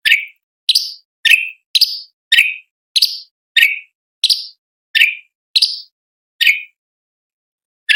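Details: Sharp tutor-recording 'tembakan' notes of a sooty-headed bulbul, used to train contest birds: about a dozen short, shrill, downward-sliding chirps in quick steady succession, each clear and separated by brief silences, with a pause near the end.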